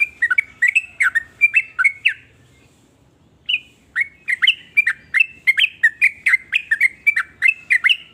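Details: Sooty-headed bulbul (trucukan) singing in varied styles said to make other bulbuls join in: rapid series of short bubbly whistled notes around mid-high pitch, a brief pause, then a longer steady run of repeated chirpy phrases.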